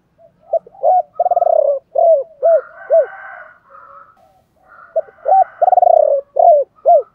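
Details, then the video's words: Spotted dove cooing in the chiêu ba hậu style, used to stimulate other doves to sing: short hooted coos, a fast rattling trill-like coo, then a run of arched coos, repeated twice with faint higher calls between. "tiếng chim cu gáy chiêu ba hậu"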